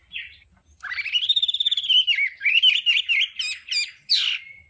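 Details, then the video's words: Hwamei 'đảo âm' song for voice training: a short note, then a long sustained warbled whistle that rises and wavers, followed by quick looping notes and a loud final slur. "Âm thanh luyện giọng họa mi hót đảo âm hay nhất"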